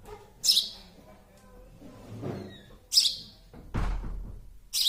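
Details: Sparrow chick calling with short, harsh, high-pitched chirps about every two and a half seconds, with thumps and handling noise between calls.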